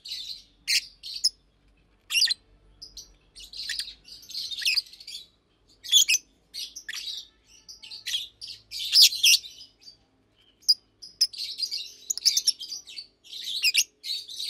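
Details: Two almost two-year-old Fischer's lovebirds, pastel green and blue, kept in a cage and chirping through the day: long stretch of repeated shrill chirps, squeaks and chattering bursts with brief quiet gaps.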